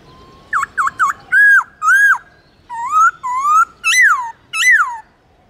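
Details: Black-throated laughingthrush song for training captive birds: three quick V-shaped whistles, then longer level and rising whistled phrases and two high arched notes that fall. The phrasing is varied and loud over near silence.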